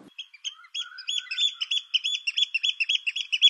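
An oystercatcher gives loud, shrill piping notes that start scattered and quicken into a rapid, ringing series of about five calls a second.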